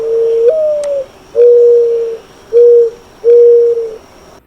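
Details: Mourning Dove, a spring migrant in southeast Saskatchewan and southwest Manitoba, gives a low mournful coo: a first note that lifts and slurs down, then three soft even hoots, over a faint steady hiss.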